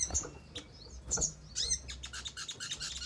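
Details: A crimson sunbird, used as a stimulus recording to provoke responses and singing, gives high, thin, sharp chirps in quick bursts, with a few soft low thumps underneath.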